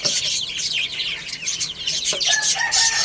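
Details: Baby chickens at play and feeding, bursts of piercing high cheeps from many chicks, plus one longer clear whistled note near the end.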